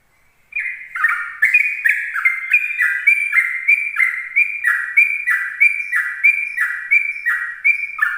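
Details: Sooty-headed bulbul singing a continuous ropel song in the morning to lure other bulbuls: an unbroken, rapid chain of loud, slurred whistled notes, about three per second, evenly sustained throughout.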